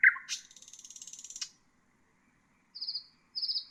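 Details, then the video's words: Common nightingale song used for training bulbuls and other songbirds: a sharp low note, then a rapid buzzy rattling trill lasting about a second, followed after a pause by two short high whistled phrases. "تغريد طائر العندليب"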